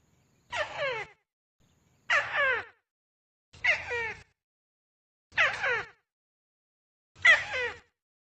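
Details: Repeated tikusan lure call, noisy recording gathered from various sources: five raspy bursts with layered descending strokes, each about half a second, spaced about one and three quarter seconds apart, low rumble underneath.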